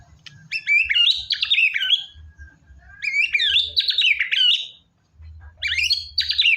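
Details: White-rumped shama, known locally as murai batu, used to coax a reluctant bird into singing: rich phrases of fast whistled and slurred notes sweeping up and down, delivered in three bursts separated by short pauses, with faint low thumps beneath.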